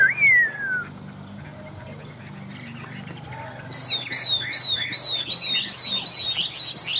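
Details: Tame Chinese hwamei fanning its feathers while singing on a rainy day: one clear whistle slides downward, a pause follows, then a fast run of high, even whistled notes repeats about three times a second.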